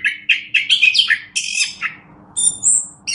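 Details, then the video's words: Orange-headed thrush giving rapid chattering notes, then a quiet gap and a high clear whistle, from a master recording used to tutor other birds; faint low hum in the background. "Masteran Anis Kembang"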